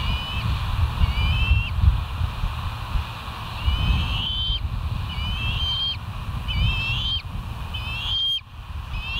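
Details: Bald eagle at West End, live-camera footage from 09/01/2023 at 07:06; repeated high, thin chittering call series, about six bursts spaced one to two seconds apart, over constant low-pitched wind-like rumble.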